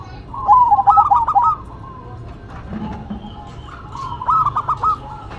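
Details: Two zebra doves, a local and a cemani, duetting: two bursts of rapid, bouncing coos about three seconds apart, with a faint lower murmur between them.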